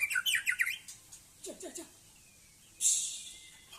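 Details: White-rumped shama of the Aceh type in a yard, giving a rapid burst of sharp, high chattering notes, then softer lower notes, a brief gap and a harsh hissing burst with a thin drawn-out whistle.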